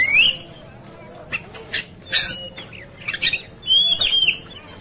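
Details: Oriental magpie-robin in a fighting state sings rising whistles and slurred notes broken by rough rasping bursts, ending in a longer whistled flourish.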